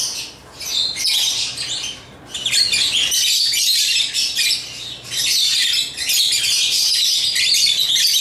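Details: Lovebirds of the African kind chattering during play with toys; bursts of high, rasping twitter start and stop, then merge into a long unbroken stream of shrill chirps.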